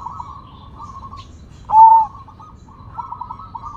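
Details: Sumbawa zebra dove singing actively: soft stuttering cooing trills broken by one loud, pure, sliding coo in the middle, then more quick trilled phrases, all over a faint low hum.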